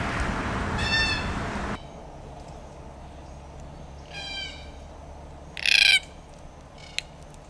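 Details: Red-tailed black cockatoo giving harsh, rolling calls with stacked harmonics: one at the start under loud rushing noise, a fainter call near the middle, then a loud grating call, followed by a short click.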